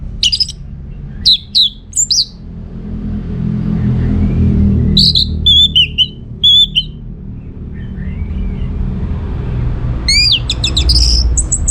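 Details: Orange-headed thrush from Singaraja, North Bali, in full lively song used as a lure so other birds answer: high whistled bursts and sharp rising notes at 0–2, 5–7 and 10–12 seconds over a steady low rumble.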